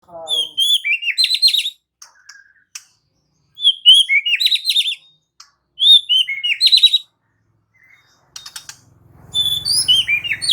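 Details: White-rumped shama singing in lively gacor style and unloading its repertoire in answer to another shama's song: bursts of sharp, descending whistled phrases with high chips, separated by short silences, plus a low hum near the end.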